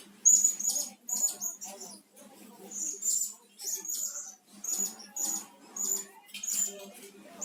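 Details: Blue-crowned hanging parrot lure sounds: a series of very high, thin, squeaky notes near the top of the range, in short bursts roughly every half second to second, with a faint low hum beneath.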